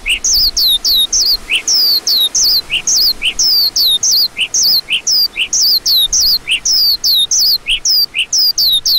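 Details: Lark calling: clear, high, thin notes that slide downward, repeated rapidly and evenly for the whole stretch, each paired with a shorter lower note, with no other sounds.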